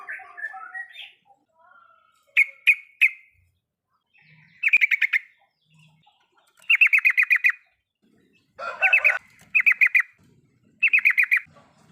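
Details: Yellow-vented bulbul riwikan recorded to prompt a silent bird: soft warbles, sharp single chips, then several brisk bursts of fast pulsed notes.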